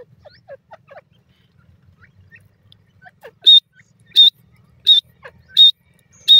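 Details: Grey francolin, also called grey partridge, with its chick: soft scattered chirps, then five loud sharp notes evenly spaced about every 0.7 seconds.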